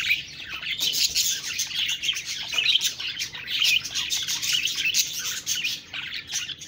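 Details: Budgerigar flock giving dense, overlapping high chirps and twittering warbles, a steady chattering mass with brief louder squeaky notes scattered throughout.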